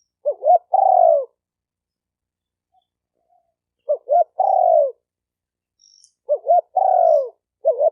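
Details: Spotted dove used to train a new bird: quick, paired hoots and then a long, downward, rolling coo. The phrase repeats about every three seconds with a steady rhythm and no other sounds.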